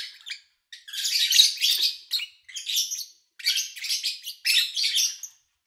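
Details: Lovebirds chirping, recorded in August 2019 with little engine noise: a long grating burst of high chatter followed by shorter scratchy phrases spaced about half a second apart.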